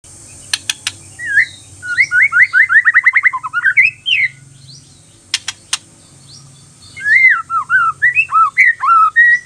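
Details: White-rumped shama song used as a lure to get other shamas singing: clear whistled phrases, a fast run of about a dozen short descending notes, then varied rising-and-falling whistles, with a few sharp clicks and a faint background hum.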